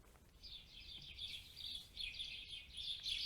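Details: House sparrow recorded on a Jetson Nano to build a machine-learning dataset: a busy run of bright, high chirps, roughly three a second and uneven in pace, over a faint low hum.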